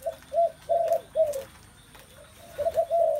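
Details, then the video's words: Spotted doves giving mellow low coos, four spaced notes, a quiet gap, then a quick overlapping trio. "Một không gian đầy ấp tiếng chim cu gáy"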